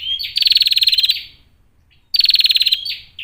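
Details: Female bar-winged prinia giving its call, meant to make other prinias sing and fight: two strong, evenly pulsed buzzy rattles roughly two seconds apart, each followed by a short bent note.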